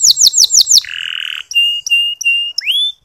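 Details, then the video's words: Indonesian local canary song, used as a lure for reluctant male singers: five quick falling whistles, a flat buzzy tone, three short pure notes, then an upward-sweeping whistle. "Masteran Kenari Lokal Super Gacor"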